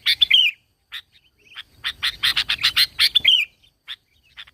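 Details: Lure song of a sooty-headed bulbul, used to make other bulbuls call. A bubbly whistled phrase, then scattered chirps, then a rapid run of rasping repeated notes ending in another whistled flourish.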